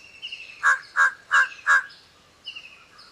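A Large-billed Crow gives four hoarse, harsh caws in a quick even series, about three a second. A thin high whistle from another bird sounds faintly behind.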